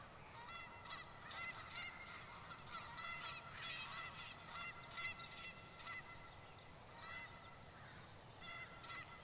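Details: Almost thirty Canada geese gathered on a lakeside school lawn, swinging their necks while calling; dense chorus of nasal, horn-like honks tumbling over one another with harmonics, a few higher yelps, over constant background hiss.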